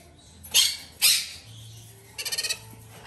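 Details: Captive sun conure chicks, three hand-fed domestic-bred youngsters, two female and one male: two harsh, loud rasping screeches half a second apart, then a quick burst of five buzzy pulsed notes.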